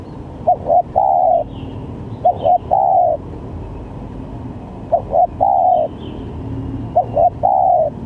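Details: Spotted dove calls used as a lure for trapping, with varied cooing. Four phrases, each two short clipped notes and then a long, slightly falling coo, repeated about every two seconds over a steady low background hum.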